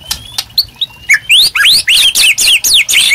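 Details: White-rumped shama, gacor master song for training captive birds: scattered soft high notes, then a loud series of high, sweeping whistles rising and falling at about four per second.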